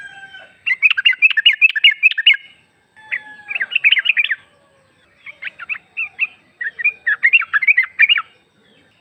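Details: A female yellow-vented bulbul calls for the male, played as a lure: four chattering bursts of rapid, bubbling chips, each lasting one to two seconds, with brief silent gaps between them.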